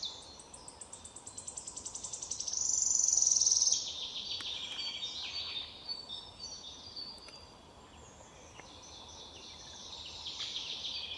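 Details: Wood warbler in Lübeck on 13 May 2023 singing high ticking notes that speed up into a loud, shivering trill lasting about a second, other birds chirping faintly behind.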